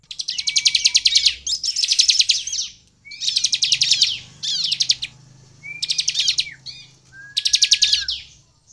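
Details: Energetic Sunda bush warbler song meant to lure rival birds into calling. Five or six loud, fast, buzzy trills, each often opened by a thin level whistle, are separated by brief silences.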